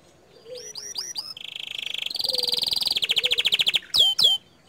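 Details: Canary singing in loud, continuous song: rising whistled notes, then a steady buzzy trill building into rapid pulsed rolls, closing with two sharp downward sweeps; a faint low note underneath.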